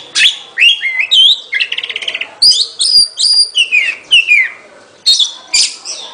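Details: Oriental magpie-robin singing a varied run of clear whistled phrases, sliding notes and a fast rattling trill, with short pauses between bursts.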